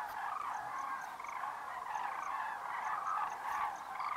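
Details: A huge flock of common cranes, estimated over 40,000 birds, leaving grassland feeding grounds for roosts on a winter evening in the Great Rann of Kutch, January 2013, fills the air with a constant overlapping chorus of rolling, trumpeting calls; faint high ticking repeats behind.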